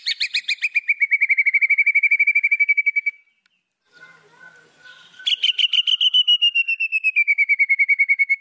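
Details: White-rumped shama song meant to stir up rival birds: a long, rapid even trill of identical notes slowly dropping in pitch, a quiet gap with soft twitters, then another fast falling trill.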